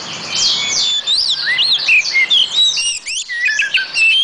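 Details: A rich, continuous warble from an oriental magpie-robin, packed with quick whistled slurs, twisting high notes and brief rasps.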